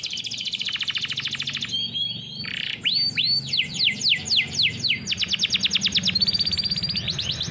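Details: Canary training song with varied phrases: a fast rattling trill, looping whistled arcs, a run of rising sweeps, then sharp repeated notes and a bright sustained trill, all rapid and continuous, with low hum beneath.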